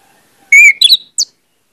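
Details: Orange-headed thrush song used as a lure to make other birds sing openly: a loud clear whistled note, then a quick twisting burst and a short high sliding note, all within one second.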